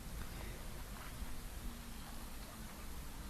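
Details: Low, steady rumbling background noise with faint rustling and ticking, and no clear animal calls.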